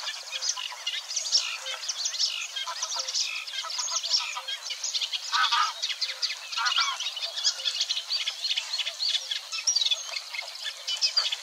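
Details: Wild Eurasian reed warbler recorded at Wetering West, Overijssel, Netherlands, 6–7 May 2022, chattering on steadily with some imitation: a long, even stream of harsh, clicking and churring high notes, grating and unhurried, with constant background hiss.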